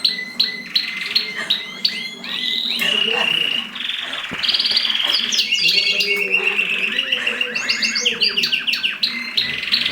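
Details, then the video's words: Mosaic canaries during mating, a male singing rapid rolling trills and chattering phrases, with short repeated notes and rising sweeps; a steady background hiss and voices underneath. "تزاوج طيور الكناري المزييك"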